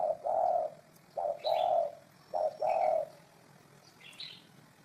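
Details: Low, soft coos from a spotted dove, each phrase a short note followed by a longer drawn-out one, repeated three times, with a few thin high chirps of other birds.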